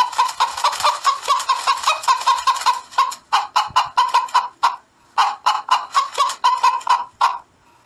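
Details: Hens cackling at dawn: rapid bursts of harsh, repeated clucks in fast runs, pausing briefly between bouts.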